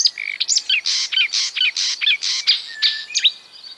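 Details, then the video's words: Singing marsh warbler imitating other birds: alternating harsh buzzy bursts and short whistled notes, roughly two per second, with a few thin rising whistles. "A marsh warbler (Acrocephalus palustris) imitating other birds"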